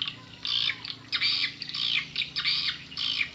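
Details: Swiftlet call played as a lure for swiftlets: about five harsh, buzzy squawks, each roughly a quarter-second long, separated by short gaps, with a faint low hum behind.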